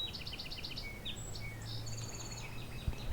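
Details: A Song Sparrow, one of many, sings along a rail trail between fields and shrubs at Vinemount Swamp, east of Hamilton, Ontario, on 27 June 2020: quick sharp repeated introductory notes, then buzzy notes and a bright trill, over a low steady rumble.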